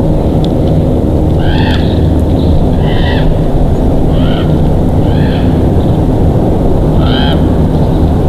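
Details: Nest-camera recording of bald eagles in Big Bear, evening of 22 July 2023: a series of five or six brief, thin, piping squeals spaced about a second apart, almost buried under loud, steady low-pitched roaring noise.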